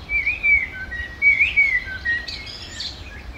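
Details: Common blackbird feeding by the Manzanares riverbank in Madrid on 17 February 2023, giving mellow whistled warbles in two loud bursts that end in squeaky, higher twittering notes, with faint low ambient hum.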